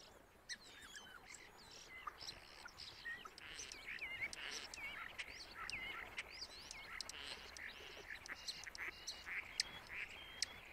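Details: Starling, male, in full song mimicking other birds: a dense, continuous jumble of whistles, clicks, squeaky chatter and buzzy slurs, rising and falling rapidly throughout.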